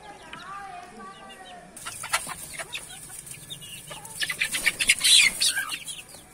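A red junglefowl gives a short run of nasal, wavering clucks, followed by sharp broadband bursts like wing flaps and rustling.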